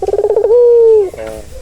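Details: Turtle dove, used to calm a stressed bird: a quick throbbing run of about eight short pulses flows straight into a long, level, mellow coo, then a brief softer tail note.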